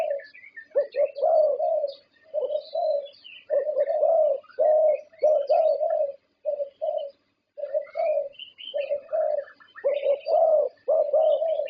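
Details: Contest-winning Thai zebra dove singing a long run of rolling, bubbling coos, phrases of two to four notes repeated with short gaps, while other small birds chirp and twitter faintly at higher pitch throughout.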